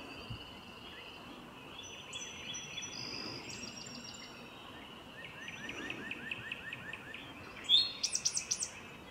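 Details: A male Eastern Towhee sings in a forest on an early spring day, a sharp opening note then a quick, buzzy trill, over a busy chorus of thin whistles and trills from other birds.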